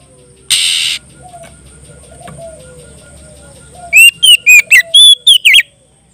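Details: Oriental magpie-robin singing loudly in clear open 'ngeplong' style while calling a rival: a wing-flutter burst, then a quick run of about seven high, loud whistled notes, some rising, some dropping.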